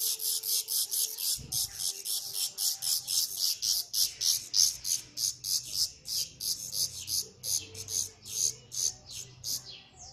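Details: Black redstart parents feeding their chicks. Hissy, very high bursts repeated about three times a second in a steady run, over a faint low hum.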